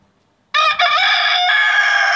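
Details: Rooster crowing loudly and close, one long drawn-out cock-a-doodle-doo with a brief break near the start, then a sustained strident, ringing note.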